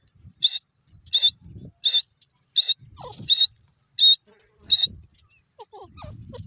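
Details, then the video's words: Grey francolin calling: loud, short, high whistled notes repeated steadily about every 0.7 seconds, with faint low rustling and a few soft background chirps between them. "beautifull teeter ke awaaz,beautifull grey francolin birds ki boli"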